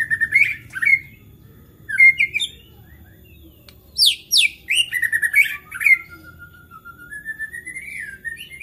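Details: Excited white-rumped shama song that stirs other shamas to sing: spaced whistled phrases, a rush of steep falling sweeps and chattering notes, then a long, slowly rising whistle ending in a sharp upward flick.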